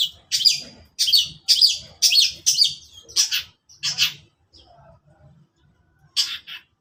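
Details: Long-tailed shrike heard in the morning, giving rapid harsh rasping notes in a steady run of about two per second, which then fade into softer scattered calls before one last loud rasp.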